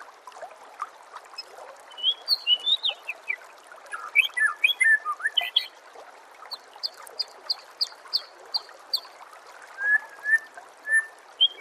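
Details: Long white-rumped shama sequence from a songbird training recording: a jumble of rising and falling whistles, then a steady string of short high repeated notes, ending with lower whistled pairs against a light background hiss.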